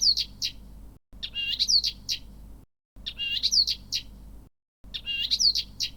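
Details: A pet Blyth's reed warbler, recorded to catalogue its calls and mimicry, gives short bursts of sharp, high chirps with a quick rising-and-falling note, repeated about every two seconds over a faint low hum.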